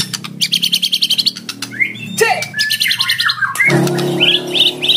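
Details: Lure song of a fighter oriental magpie-robin, sung to challenge a rival and prompt it to sing: rapid stuttering chip series, then sweeping and slurred whistles and short high bursts over a low steady hum.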